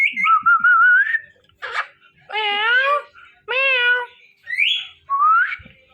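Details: Pet ringneck parrot pair, male and female, mating before a mirror: a rising whistle opens, followed by a rasp, two drawn-out meow-like harmonic calls, and two short upward-sweeping whistles.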